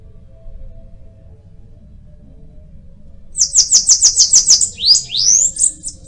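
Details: After a few seconds of near silence, a Bananaquit bursts into a fast, high, hissing series of about eight notes, then finishes with several upward-sweeping squeaky phrases.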